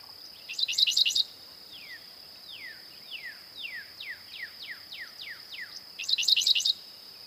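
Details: Dickcissel song: short loud bursts of four quick stuttered, buzzy notes, separated by a run of fainter descending slurred whistles repeated about twice a second, over a steady high continuous tone.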